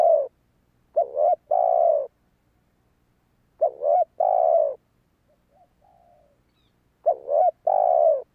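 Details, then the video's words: Cooing of a spotted dove, played to lure wild doves: three strong phrases, a brief broken opening and a sustained low coo, about three seconds apart, with a faint softer coo in one gap. "Tiếng chim cu gáy kích bổi hiệu quả"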